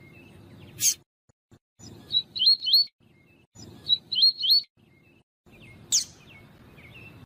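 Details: Double-collared seedeater of the tui tui song style, recorded with a female, used for training captive males: short high whistled wavy phrases repeated in bursts, with sharp clicks and low background rumble between.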